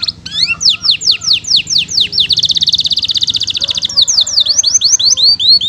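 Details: Actively singing canary with a rich repertoire, from a long training recording: a series of clear descending whistles, then a fast rattling trill held steady for over a second, then more falling whistles.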